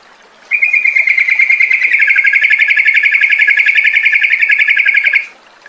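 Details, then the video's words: Yellow-vented bulbul trill used as a lure to restart singing and ngropel: one sustained, rapid, evenly pulsed rattle lasting nearly five seconds, starting and stopping abruptly. "SUARA PANCINGAN TRUCUKAN AGAR BUNYI DAN NGROPEL"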